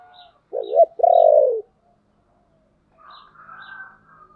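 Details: Spotted dove 'chìm' coo, used to lure and excite decoy birds: a wavering coo runs straight into a long, low, throaty note that drops at its end. Faint high chirps sound above it, and a softer droning call follows.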